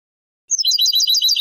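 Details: European goldfinch in Moroccan Sebtaoui song style, taken from an old cassette tape: a one-second burst of quick, liquid twitters and chirps, dense and high-pitched.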